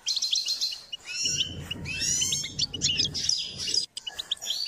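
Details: Goldfinch song for training: a lively, continuous run of tinkling twitters and quick rising notes, high and rich, with low rumbling noise through the middle and a sudden brief drop near the end.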